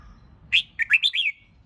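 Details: Red-whiskered bulbul being trained to sing for competition delivers one short, lively phrase of five quick warbled notes, bright and slurred, lasting under a second.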